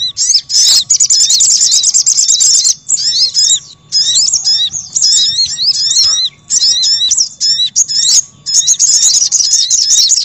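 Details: Little spiderhunter chatter used as a lure for wild birds: an opening rapid trill of high notes, then steady runs of sharp, scratchy twitters that barely pause.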